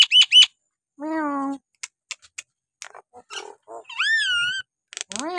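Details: Nias hill myna; song; to provoke quiet birds into singing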